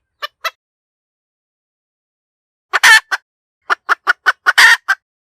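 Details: Hen chicken cackling: two short clipped notes, a two-second pause, then one long harsh drawn-out squawk followed by a quick run of about seven staccato clucks with another stretched squawk. Clean, quiet background.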